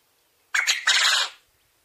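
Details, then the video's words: Single crow from a domestic Coturnix quail, a hoarse two-note opening and a longer buzzing, rattling tail, with faint low background noise. "Quail call / crowing / sounds"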